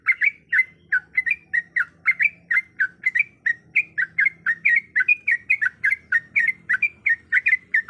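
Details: Female Sooty-headed bulbul calling a male in a long, continuous series of bright, slurred chirps, roughly four per second, paired and rising or falling, against near-silent background.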